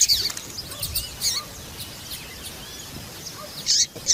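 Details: Female papa-capim seedeater calling, a call used to excite and stir males into singing; a few short, high, sharp chirps in scattered bursts over a low steady hiss.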